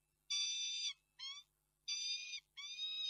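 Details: Wailing of a female peregrine falcon, March 2022: long steady nasal whines broken by brief, slightly falling shorter notes, each separated by clear silent gaps.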